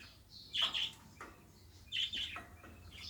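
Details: Domestic budgerigar calling with two harsh chirped bursts about one and a half seconds apart, each a buzzy note followed by a quick softer chirp, over a quiet low hum.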